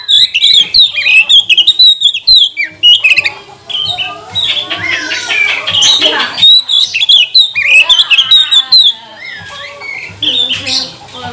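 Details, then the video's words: Kacer (Oriental magpie-robin) lure song meant to rouse other birds to sing and spread their tails; dense, fast jumble of sharp whistled notes mixed with harsh buzzy and scratchy passages, barely pausing. "Kacer mana yang gak mau gacor, buka ekor, bongkar emosi dengan pancingan kacer ini"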